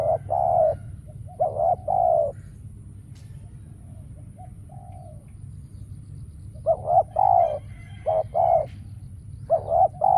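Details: Spotted dove used as a lure while trapping wild doves, which are now rare. Bursts of low hollow coos at the start and end, separated by a long near-quiet stretch with only a faint soft note.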